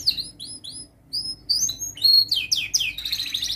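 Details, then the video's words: Canary song for young canaries learning to sing: spaced rising whistled notes, then faster sweeps building into a dense, buzzy high trill, with a faint low hum beneath. "Masteran Kenari gacor Muda belajar NATA LAGU, paling Pandai utk pancingan kenari paud belajar bunyi"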